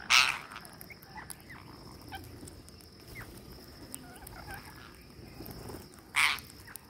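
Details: Green parakeets at feeding time: two loud, harsh, broadband screeches, one at the start and one near the end, over a steady background of faint chattering calls from other birds.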